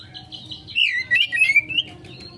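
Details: Oriental magpie-robin, 'konslet' lure song: a soft high whistle followed by a lively string of slurred, wavering whistled notes, then a thin high tone, over a low hum.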